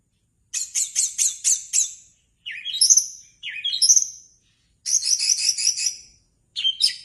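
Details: Orange-headed thrush singing in clean, high phrases: a rapid series of five or six sharp repeated notes, then rising slurred whistles, another quick note series, and a final short burst, with silent gaps between.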